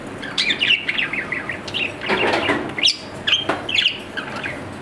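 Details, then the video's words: Pet budgerigar, an Australian parrot, giving a busy run of warbled, chirping notes: short rising and falling chirps packed closely together over five seconds, with a few louder sharp squeaks, against a soft background hiss. "My Australian parrot | Budgerigar"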